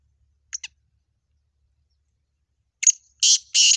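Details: Black francolin heard in a 'double awaz' (double call): a quick pair of thin high notes, silence, then a sharp doubled note and two loud harsh rasping bursts at the end. Background otherwise quiet.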